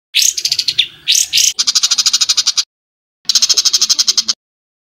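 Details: Rough rapid 'tembakan' bird song used to train caged songbirds like white-rumped shamas and greater green leafbirds: harsh, rattling bursts of high notes, a brief pause, then another fast, even rattle.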